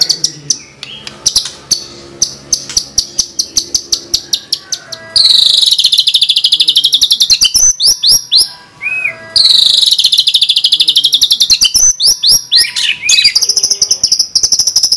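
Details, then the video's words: Gacor White-rumped shama song, full of 'tembakan' fills for training other birds: a fast run of clicking, rattled notes, then long loud, dense high warbling with shrill whistled phrases and brief pauses. "Pancingan Masteran MP3 Murai Batu Gacor Full Isian Tembakan Mewah"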